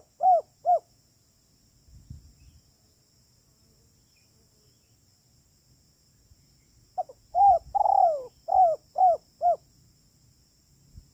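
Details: Spotted dove, "kuk 3" lure recording for trapping. Two short coos, a quiet gap with a faint rustle, then a full phrase: soft notes, one longer drooping coo, and three quick coos at the end.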